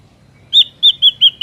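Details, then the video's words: Ashy drongo in the wild, sound meant for luring birds into traps: five loud, evenly spaced whistled notes at a steady high pitch, each short and slightly rounded, with faint low background hum. "SUARA BURUNG SRIGUNTING ABU ASLI SUARA ALAM ||Cocok buat pikat dan pancingan"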